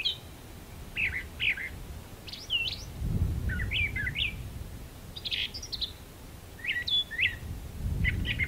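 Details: Brown Thrasher in a magnolia tree singing a varied run of short, rich, chirpy phrases, several given twice in quick succession, over a low wind-like rumble.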